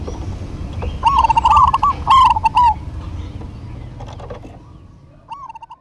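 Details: Local Zebra doves in a duet: one long rolling phrase of quick, trilled coos rising and falling, followed by quiet, with a faint coo near the end. A low background hum continues throughout.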